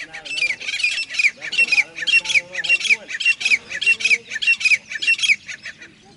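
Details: Grey francolin in full call, pouring out a steady series of shrill, rasping notes grouped in repeated pulsing phrases for six seconds, background quiet.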